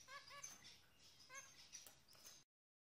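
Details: Zebra finches, shown as signs of pair bonding, giving short nasal chirps in quick runs, several notes bunched together, then a pause and another burst; faint and close, with nothing else clearly heard.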